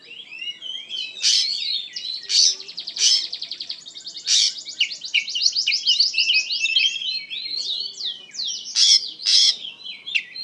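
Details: Oriental magpie-robin singing with intensity, a long rapid trilled run of repeated high notes punctuated by several harsh explosive bursts, all high-pitched and continuous.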